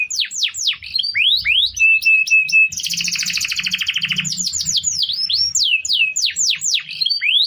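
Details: Canary tutor song used to train other birds: quick descending whistles, a steady flat tone, a loud rapid rattling trill, then bright, swooping whistled notes.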